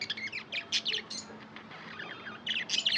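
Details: Tame budgerigar chirping softly in quick bursts of high, scratchy twittering notes, followed by a quieter pause and then a renewed chattering run.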